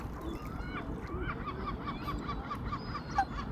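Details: Family of Eurasian coots feeding in Queen's Park, Glasgow; a run of short nasal, honking notes with clear overtones, several rising at the end, given in quick irregular succession over a steady low hum of background noise.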